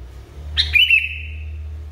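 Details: A single phrase from an agitated sooty-headed bulbul: a sharp chirp, a brief warble and a long steady whistle fading out, against a constant low hum.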